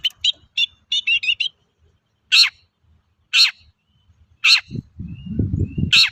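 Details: Long-tailed shrike used as a lure to prompt other shrikes to sing; quick high chirps give way to single harsh rasping notes about once a second, with a low rumbling noise near the end.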